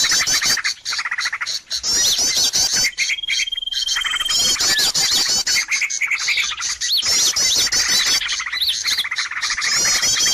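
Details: Noisy bird lure calls played to draw birds in: a dense, continuous chorus of sharp high chirps, squawks and fast rattling trills from many overlapping birds, with a few brief pauses and a thin whistled note near the middle.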